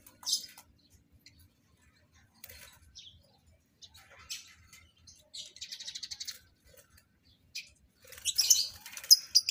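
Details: Paired lovebirds in captive breeding give scattered high chirps, then a rapid buzzy trill and a final burst of loud, shrill chatter.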